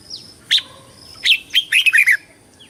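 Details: Red-whiskered bulbul singing in competition style, used for calling the flock and voice training: a thin high note, then a bright warbled phrase of quick, rich, rising-and-falling notes in a burst near the end.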